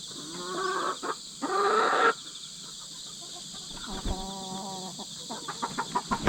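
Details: Domestic hens, two sisters two years apart raised from chicks, newly merged and still fighting over ranking, during a tense chase: harmonic clucking calls, a loud harsh squawk, then a run of repeated clucks over steady insect noise.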